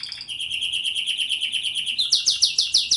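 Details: Pleasant canary singing: steady rolling trill of quick repeated notes, then louder, brighter syllables repeated about every tenth of a second.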